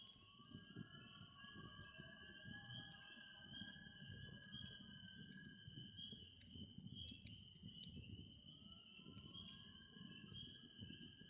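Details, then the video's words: Several loons in Vermont give long, drawn-out wailing notes that overlap and shift slowly in pitch, over the steady crackle and pop of a campfire at a campsite. "loons singing"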